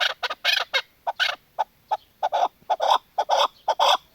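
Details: Female chukar partridge uttering choppy, repeated cluck notes, some doubled, in an irregular but unbroken sequence.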